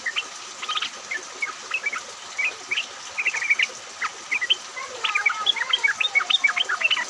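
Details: Yellow-vented bulbuls calling in a group during rain, a lure to make others sing: sparse bubbly notes early, building to a fast, dense run of bright chirps near the end, over rain hiss.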